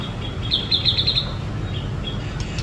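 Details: A white-rumped shama singing in the sun gives one brief, quick trill of sharp high notes, followed by two faint single whistles, over low rumbling noise.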